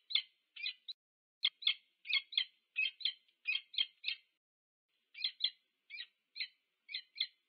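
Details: At a UC Berkeley nest site in the USA, a Peregrine falcon pair meets on 2 November 2022, calling in rapid grating chips and pairs, a steady run, a one-second pause, then more evenly spaced calls.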